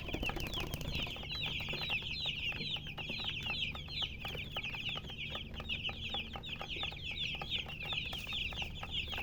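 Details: Baby chickens peeping in a dense flock, rapid high thin cheeps repeated many times a second throughout, overlapping one another, with a steady low hum beneath.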